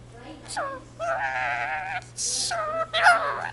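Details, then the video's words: Pet Indian ringneck parakeet living with a family, mimicking speech and saying the Punjabi jaikara phrase "jo bole so nihaal sat sri akal". The sound is a string of harsh, nasal, voice-like syllables with short pauses and a sharp raspy burst in the middle, indoors with a low steady hum. "talking parrot jaikara indian ringneck speaks in punjabi"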